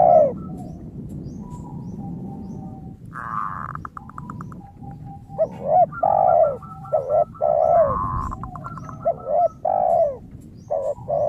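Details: Zebra dove song with a crystal tone, played as a lure to make other doves sing: a noisy start gives way to a burst of rapid pulsed notes, then repeated bowed coos and trills over continuous background noise.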